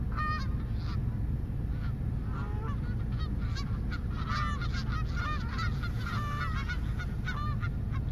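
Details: A noisy gathering of geese: dense, overlapping harsh honks and short bent cries, almost continuous throughout, with a constant low-pitched hum underneath.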